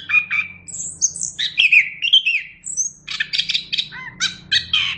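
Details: Chestnut-capped thrush singing continuously: a varied stream of whistled, slurred and squeaky notes jumping between mid and very high pitches, then rapid repeated chattering phrases, over a soft low hum.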